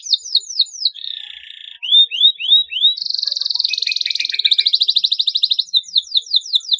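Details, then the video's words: Canary singing at length as a prompt for canaries that have stopped singing. Quick falling chips, a buzzy note, a series of rising whistles, then long rapid rattling trills pulsing many times a second. "KENARI GACOR PANJANG PANCINGAN KENARI MACET"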